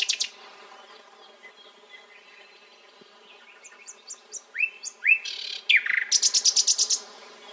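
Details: Nightingale song rising from soft notes into upward-sweeping whistles and a loud, rapid run of repeated clipped notes near the end, over faint background hum.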